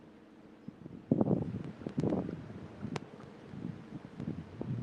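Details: Gusts of wind buffet the microphone amid rustling and a few low knocks, with no animal calls.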